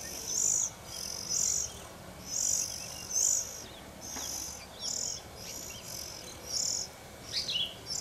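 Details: Oriental magpie-robin raising its young, filmed from above: high, hissing call bursts about once a second, with a few thin descending notes near the end over a faint hum.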